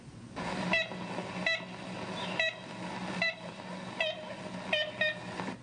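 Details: Ivory-billed Woodpecker in the only known recording of the species, made in 1935: nasal, tin-horn-like kent notes repeated roughly once a second in short runs, over the steady hiss of the old recording.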